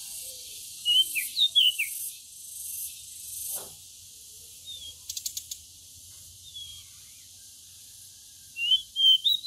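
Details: Pied bushchat out in the sun, singing three separated bursts of high, sweet whistled notes, some slurred downward, with soft faint notes and a brief clicking rattle between bursts against quiet hiss.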